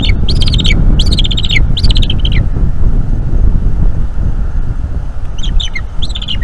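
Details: Bald eagle eaglet at a nest in North East Florida, calling a lot while its mother feeds it, at 8 PM in May 2021; high, thin chittering call series in bursts, with strong low rumbling wind or hum beneath.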